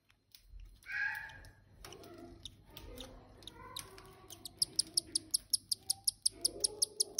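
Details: Cockatiel (Nymphicus hollandicus) chick begging with rapid, repeated high squeaks while being fed by an adult.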